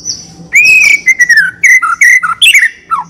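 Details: A white-rumped shama in full, rich song, used as a singing lure. A long clear whistle slides gently downward, then a string of short slurred whistles and sharp high notes.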